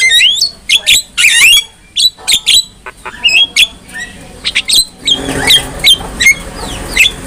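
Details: Javan myna (jalak kebo) singing to train other mynas: bursts of rasping squawks and short whistled notes, becoming noisier and broader toward the end.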